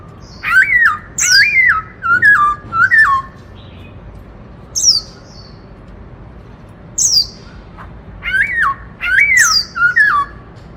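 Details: Loud song of a caged black-throated laughingthrush in the "Bắt Cô Trói Cột" style, used to stimulate other birds: bursts of rich bending whistles mixed with sharp high-pitched notes, separated by silent gaps of one to three seconds.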